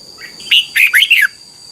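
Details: Red-whiskered bulbul song played to train young caged birds in Thailand: one short phrase of four loud, liquid whistled notes, each dipping then falling, under a steady high electronic tone.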